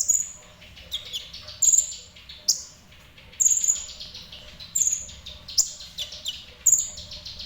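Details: Ninja sunbird in moderately active song, giving sharp, piercing high whistles and quick chips roughly once a second, each note brief and clipped, over soft steady background hiss.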